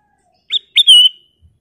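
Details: A brief, clear phrase from a Black-crested bulbul: a short sharp whistle, then a longer, bright, slightly descending whistled note that trails away, in a quiet setting.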